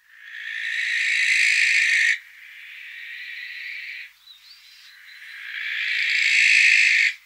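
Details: Barn owl, a nocturnal raptor of France that often nests in church steeples, giving long, harsh, hissing screeches of about two seconds each, with a quieter rasping stretch between them; the call can be frightening if unprepared.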